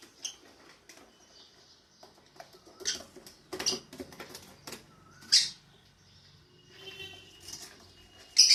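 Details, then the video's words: Pet lovebirds at the start of their day: scattered rustling and scratching, soft short squeaks, then two loud piercing chirps near the middle and end. "Love Birds Starts their days"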